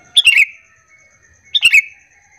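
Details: Two quick bubbling chirp phrases from a sooty-headed bulbul, a lure call to make other bulbuls answer, each phrase a rapid run of bright falling notes.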